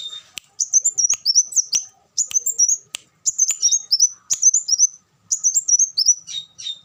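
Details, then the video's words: High, sweet twittering from a kolibri wulung sunbird, short warbled phrases repeated roughly every second with tiny gaps and occasional sharp ticks. "suara burung kolibri wulung"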